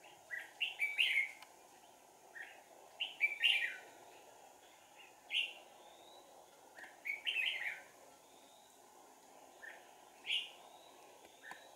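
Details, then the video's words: Trapping decoy red-whiskered bulbul, 4 April 2019, giving lively chattering warbles in grouped phrases, then single whistled notes spaced a couple of seconds apart, against continuous hiss. "Bẫy chào mào Sàng cầu - đánh đuôi"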